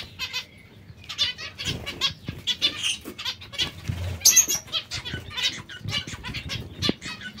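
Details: Feeding zebra finches at vegetables utter rapid, buzzy-nasal call notes in a near-continuous chatter, with a sharp louder note just past four seconds and occasional thumps.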